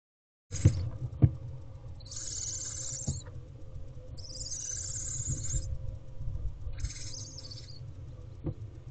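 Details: Barn owl owlets growing in a nest box, recorded on a May afternoon with plenty of food in the box; loud broadband hissing screeches of about one to one and a half seconds, three bursts over steady low background hum and a few knocks.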